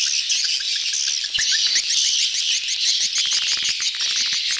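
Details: Swiftlets crowding together to mate, a betompok lure recording: thick high-pitched chattering with quick rising chirps and a few sharper notes standing out.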